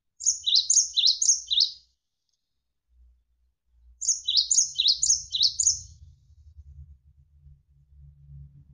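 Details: Javan sparrow (gelatik wingko) chirping in a tutor recording used to train songbirds: two clusters of three or four quick, high, sliding notes, then a faint low hum.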